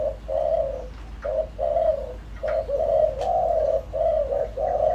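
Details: Spotted dove decoy in its full calling routine to rouse wild doves: loud, rich coos strung closely together, short notes alternating with longer level ones, over a quiet low hum.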